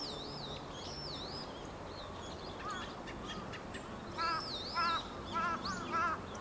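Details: Dusky thrush, a winter visitor, filmed from behind on 23 November 2015 with a Panasonic DMC-FZ300 camera and external microphone: four harsh, buzzy, stacked notes roughly every half second, with wavy high whistles from other birds throughout.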